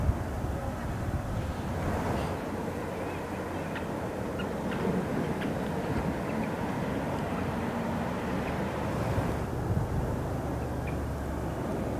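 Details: Steady wind rumble and low engine or boat drone, with no animal calls heard.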